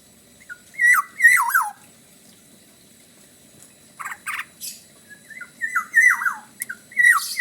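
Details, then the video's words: Black-naped oriole from Bali in full song, giving loud fluty whistles that drop from high to low in bursts, mixed with harsh, rasping high-pitched notes and a quiet gap midway. "kepodang gacor khas bali"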